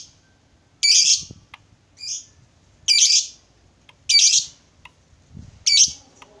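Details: Lovebird calling rivals with harsh, high, buzzy squawks, each about half a second long, repeated roughly once a second with quiet gaps.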